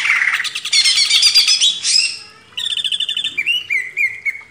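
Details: Cage-bird training recording of a greater green leafbird: a dense, buzzy, twittering burst, then a clearer run of quick whistled notes ending in slurred, rising and falling whistles.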